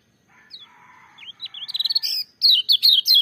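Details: Lemon-bellied white-eye, or kecial kuning, whose full-voiced song starts as scattered high slurred notes over a softer, lower warbling, then breaks into rapid, strong bursts of shrill twittering in the final second.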